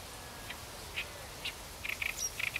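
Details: Oriental reed warbler (Acrocephalus orientalis), song.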